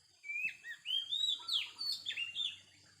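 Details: A wild Oriental magpie-robin sings a rich, varied phrase of sweet whistles, slurred up and down, about three notes a second. A constant high hiss runs underneath.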